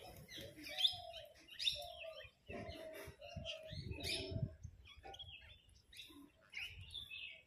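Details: A flock of parrots chattering and squabbling among themselves over food: overlapping sharp screeches and squawks in quick irregular bursts, with lower scratchy calls and background rumble throughout.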